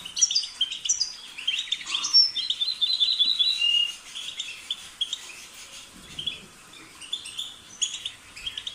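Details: European goldfinch pouring out bursts of twittering song with tinkling notes and a brief drawn-out buzzy phrase, then quieter scattered chirps toward the end.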